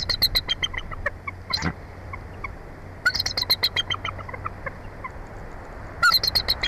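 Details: Bald eagle at a mountain nest high in a Jeffrey pine in Big Bear Valley, Southern California; three bouts of rapid, high-pitched chittering notes separated by quieter gaps, plus a short rustling burst.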